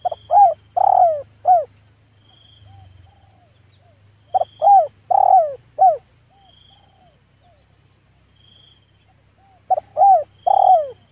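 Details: A male spotted dove repeats its four-note hooting phrase three times, roughly every four to five seconds, the third note broad and falling; a faint low rumble and steady high insect drone.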